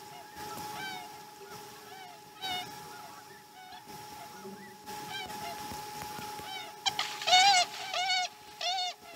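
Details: Osprey at a Chesapeake nest during the morning feeding, 2019 12 12; faint scattered chirps, then a loud burst of sharp, arched, whistled yelps in quick succession near the end, over a steady low hum.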